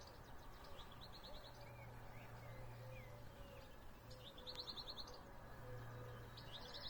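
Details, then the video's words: Birdsong at sunrise in spring: short bursts of rapid high chipping trills repeated every few seconds, thin descending whistles between, over a steady low hum. "Vogelgezwitscher Vogelgesang zum Sonnenaufgang"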